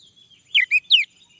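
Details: Male orange-headed thrush, sound played to provoke singing: brief phrase of three whistled notes, each sliding downward, the last loudest, over a faint thin hiss.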